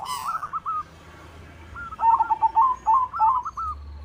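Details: Singing white zebra dove used to prompt other doves to sing: a short trilled phrase, a pause, then a dense run of bubbling, rolling coos that rise and fall slightly, with faint low rumble.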